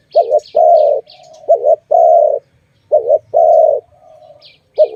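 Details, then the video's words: A dove in a bird-trapping setting coos in short-long pairs, about three pairs in five seconds, while a small bird chirps high and quickly at the start and end. "Sound of good dove for letting altogether"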